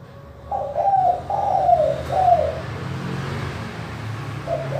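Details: Spotted dove in clear-voiced manggung cooing, used to coax lazy doves to call: three throaty coos in quick succession, the last falling, then a pause and the start of another coo over a low background hum.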